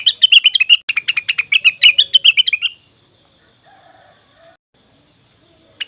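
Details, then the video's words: Leafbird called cucak wilis or rengganis, a lure for wild birds: a dense, fast chatter of bright chirps lasting nearly three seconds, then near silence with faint distant notes. "pancingan burung cucak wilis/rengganis"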